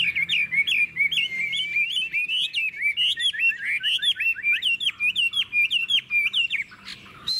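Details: Chinese hwamei kept in a cage in Vietnam, praised for a long song and a true forest voice. Gives a fast, continuous run of varied, slurred whistles that rise and fall without pause.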